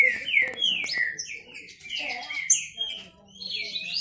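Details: Owned male green-winged saltators sing in a contest. Clear whistled notes drop in pitch, delivered in quick succession, with a higher thin note and softer overlapping phrases from another bird toward the end.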